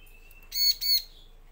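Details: A pair of harsh, buzzy high notes from a bar-winged prinia after a faint thin whistle; played to lure males and females into answering.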